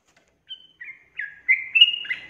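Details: Sooty-headed bulbul in lively 'ropel' song used as a lure for other bulbuls: sparse thin whistle, then a few short bubbly notes building into louder rolling chortles.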